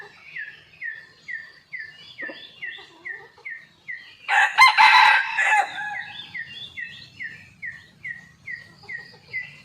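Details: After a morning storm, a lively red junglefowl caught on a concealed camera gives one loud ragged crow lasting over a second, while another bird repeats brisk down-slurred chirps about twice a second throughout.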